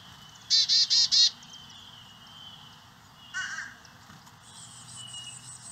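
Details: Carolina chickadee feeding young in St. Cloud, Osceola County, where the species nested for the first time on a native-plant property; four loud, evenly spaced buzzy notes, then a harsh single burst and soft high chatter.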